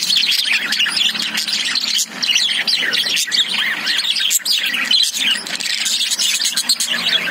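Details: A flock of caged lovebirds fills the air with steady, dense twittering, a blur of high chirps and squeaks with hardly a pause.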